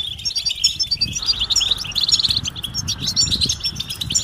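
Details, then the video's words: Collective European goldfinch calling intended to stimulate males to sing and excite them: dense high chirping and tinkling trills, a few brief louder phrases, and low rumbling noise in the background. "بتبتة جماعية رهيبة لتحفيز الحسون على التغريد والهيجان"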